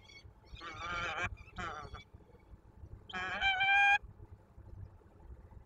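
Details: Peregrine falcon at the Kruszwica sugar factory during the third feeding of the day of its only chick. Harsh, nasal calls rich in harmonics come in two short bursts, followed by a louder, drawn-out call.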